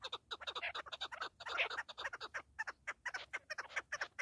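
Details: Partridge calls as a rapid run of rough, clipped chuck notes that crowd together midway and then continue in evenly paced bursts.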